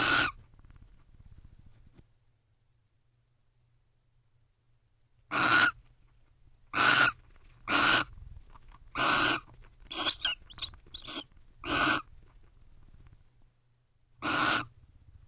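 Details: Night-time barn owl pair in a nest box, November 2023; a loose series of short harsh screeches and hisses, some clustered quickly together mid-sequence, after a quiet opening stretch.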